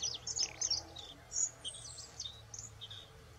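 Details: Bluethroat, a UK bird, singing a fast, varied run of high, thin twittering notes and short slurred whistles in quick irregular bursts, with a faint low background hum.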